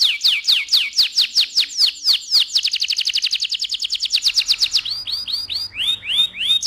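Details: Breeding-stimulation song of a canary: fast repeated downward-sweeping notes, a dense rapid trill held for about two seconds, then slower arched whistles repeated at a steady pace, clean with no other sounds.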